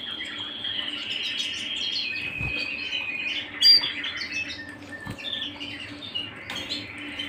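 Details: Canary singing at home, a continuous rolling trilled warble held high and steady, broken by a few sharp clicks and a brief loud chirp near the middle.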